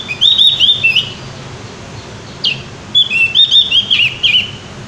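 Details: Javan white-eye in gacor ngeplong style delivering two bursts of rapid, high, warbling whistles, each phrase tumbling with quick up-and-down slurs, separated by a short sharp note.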